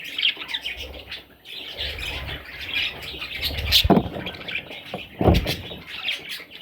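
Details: Several parrot chicks chattering with raspy, high-pitched chirps and squawky notes, jumbled and continuous, broken by two sharp knocks or bumps near the middle and end, over soft low rumbling.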